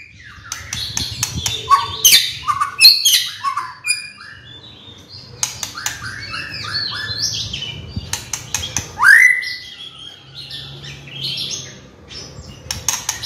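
White-rumped shama singing rich, varied phrases of clear whistles, rising slurs and rapid chattering notes, with loud sharp clicks and trills between.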